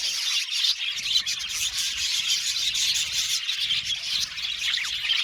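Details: Budgie aviary colony giving constant high, fizzy chirping and warbling, overlapping voices from a crowd of birds, with a few short descending squeaks near the end.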